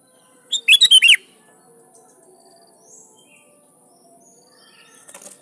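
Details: Vigorous sooty-headed bulbul song used to challenge rivals and draw wild bulbuls to respond: one rapid burst of five bubbly, dipping notes, then quiet with a faint rustle near the end.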